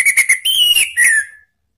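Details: An orange-headed thrush, used as a lure call, gives three quick clear whistles, then a longer high whistle sliding down into a lower falling note. No other sounds.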